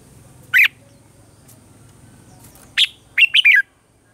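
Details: Red-whiskered bulbul morning song in the mature wild-bird voice style, used for training caged birds: one sharp chirp, a long pause, then a lone note and a quick three-note warbled phrase.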